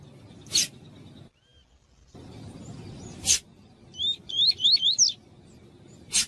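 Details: A lined seedeater gives a training song for teaching young seedeaters and warming up singing: quick, high, rising whistled notes in a short run, with sharp broadband clicks spaced through the recording.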